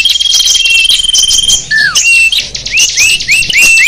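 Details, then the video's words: Small birds singing, used as a lure to attract wild small birds: a dense mix of high chirps and whistles, a long steady whistle, a falling slurred note, then rapid rising chips repeated about every half second. "Suara kicau burung kecil sang burung sapu jagat ampuh memikat"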